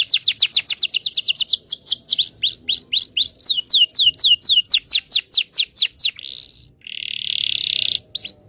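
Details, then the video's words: Canary prompting song for young canaries: a long unbroken run of quick repeated swept notes lasting about six seconds, ending in buzzy rolls and a last short sweep. "KENARI GACOR NGEROL PANJANG PANCINGAN KENARI PAUD BELAJAR BUNYI"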